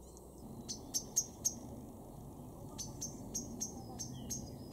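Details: Male common blackbird (Turdus merula) in a garden in Weener, East Frisia, northwest Germany, in May, giving sharp, high clicking 'tik' notes in two loose bursts of four or five, several per second, over a low background rumble.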